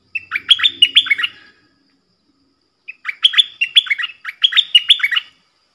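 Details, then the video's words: Cream-vented bulbul, recorded 18 June 2021 while singing actively in its 'double' song style: two bursts of lively, chattering notes that swoop up and down, the second burst longer, with a faint low rumble under the first. "Merbah lekir gacor"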